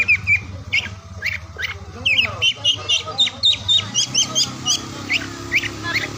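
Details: Oriental magpie-robin song heard through morning, midday and afternoon, played to get silent birds singing: clear whistled notes and short trills repeated in a steady, pulsing rhythm over a continuous low hum.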